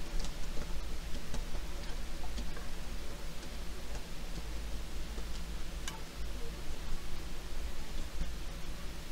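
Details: Steady low rumble with faint scattered ticks and light rustling, and no animal voice heard.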